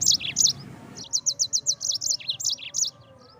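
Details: Yellow-fronted canary (mozambik) song used to train birds: quick high sweet notes repeated about six times a second in a lively run, with some lower slurred syllables, over a faint low hum.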